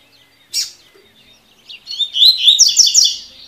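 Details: Double-collared seedeater song in the 'tui tui' style used to train young birds: a sharp high chip, then a rapid run of bright, rolling twittered notes over a second and a half.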